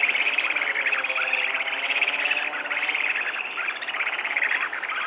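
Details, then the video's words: A Purus jacamar gives a quick, high chattering trill that keeps going across the whole stretch, mixed with a constant high insect-like drone. "O Canto do ARIRAMBA CASTANHA (Galbalcyrhynchus Purusianus) Bird Song - Purus Jacamar"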